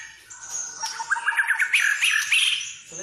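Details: White-rumped shama lure song for stimulating other birds: a quick sequence of chirpy whistled notes stepping up and down, bright and clipped.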